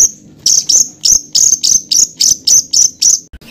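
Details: Songbird master recording for teaching contest birds, harsh rolling material: a series of sharp high chipping notes repeated about four times per second, evenly spaced.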